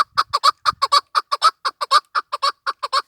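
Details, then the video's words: Chukar partridge, described as female, calling in a fast series of harsh, clucking notes repeated about twice a second, each short and husky, forming a steady chattering run with a few faint low thumps early on. "chakor birds voice awaz sound keklik sesi"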